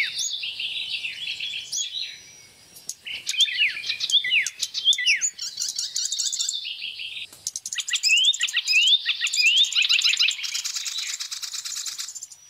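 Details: Oriental reed warbler, migrant from East Asia found in Indonesia during the rainy season, in full song: nonstop rasping, chattering phrases of fast descending notes and buzzy trills, loud and close.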